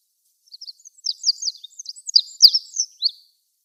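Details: An olive-backed pipit (Anthus hodgsoni) sings from atop a flowering tree, a quick, high burst of thin, sibilant chirps and buzzy downslurred notes lasting about three seconds, against a quiet background.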